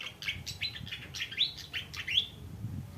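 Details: A lively fantail gives a steady series of short, squeaky slurred notes, each rising then dipping, repeated a little more than once a second, with soft background murmur.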